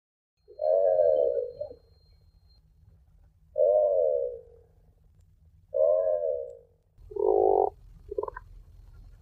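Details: Tufted puffin giving low, harmonic groaning calls, each about a second long, four in a row with pauses of one to two seconds; the last two are rougher and choppier, over a faint low hum.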